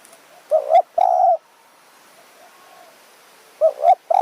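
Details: In high forest of Kanchanaburi, Thailand, a spotted dove answers during evening decoy luring. A doubled coo and a sustained low coo, a quiet gap, then the phrase starts again.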